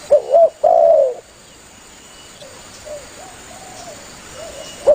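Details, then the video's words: Spotted dove calling actively to its companions, played as a hunting lure: two short hooting coos lead into one long, slightly falling coo, followed by softer, fainter cooing notes in the background. "Suara burung tekukur Gacor memangil temannya"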